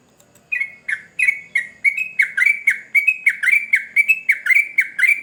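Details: Excited sooty-headed bulbul song, known locally as trucukan gacor ngamuk: loud, clipped chirping notes repeated about once a second and then in rapid doubled runs, bright and slightly buzzy, against a quiet room-like background.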